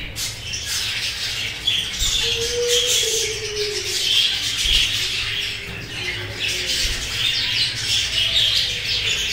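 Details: Black-face black-wing Budgerigars chatter with busy, scratchy warbles and chirps running on without a break.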